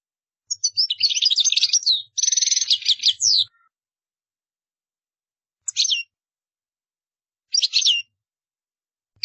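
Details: A European goldfinch sings as a model for learning birds: a three-second tumbling phrase of liquid twitters and a buzzy trilled stretch, followed by separate short chirped notes every couple of seconds.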